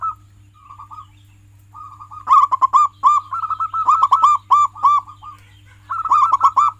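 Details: Local pet zebra dove singing steadily, recorded as a prompt to get other doves singing. Gentle spaced coos build into a long, rapid series of sharp, bell-like cooing notes, dropping briefly before a final burst. A constant low hum continues.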